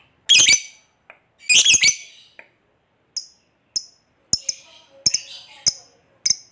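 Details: Lovebird 'koek' calls aimed at getting other lovebirds to answer: two loud, rough squawks followed by a scattering of short, sharp ticks and chips.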